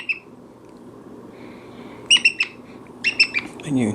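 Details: Brown-headed parrot kept as a pet, chatting indoors: bursts of quick, squeaky chirps and whistles in runs of three or four notes over a room hum. A person's voice comes in at the end.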